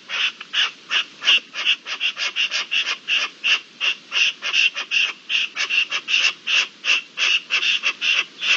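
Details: On 27 April 2021, during the mating season, partridges call in a rapid stream of grating, clipped notes, almost three each second, slightly uneven in loudness.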